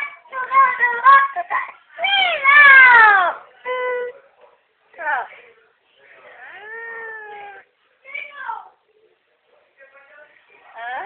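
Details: Parrot singing: a string of varied whistled and squawky phrases, some sliding down in pitch and some sounding speech-like, separated by short pauses.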